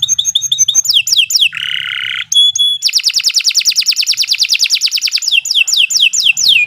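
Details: Canary song used as a master song for training young birds: fast trills of repeated notes, rapid descending sweeps, a brief buzzy harsh section, a pure whistle, then long dense rattling rolls and more downward-slurred notes.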